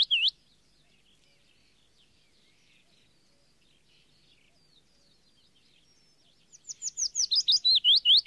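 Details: Yellow warbler (Setophaga petechia) in a long recording: a brief note at the start, six seconds of quiet with faint distant chips, then a fast, bright series of looping whistled notes.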